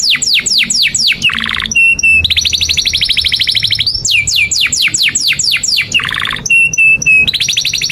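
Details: Long canary song used to train young canaries: repeated steep falling sweeps, thin pure-tone pips, and long rapid trills alternating in a continuous, varied stream.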